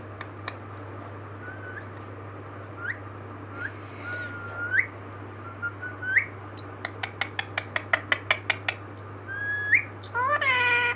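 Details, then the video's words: A 15-year-old green parrot gives scattered rising whistles, then a quick run of about a dozen sharp clicks, and ends with a rough, voiced squawk over a steady low hum. "green parrot talking"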